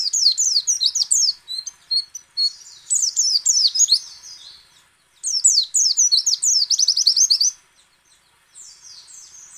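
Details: High-pitched white-eye song in ngecal, ngalas and nembak styles, intended to spur other white-eyes to sing: long, dense streams of quick twittering and trilled notes, pausing briefly around the middle and near the end.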